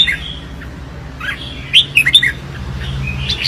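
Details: Red-whiskered bulbul singing competitively, a short phrase of crisp, liquid whistled notes in the middle of a quiet stretch, with a low background hum.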